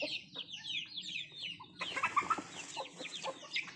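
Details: Country chickens feeding, first a quick string of high falling chirps, then louder mixed clucking and peeping with a few sharp taps.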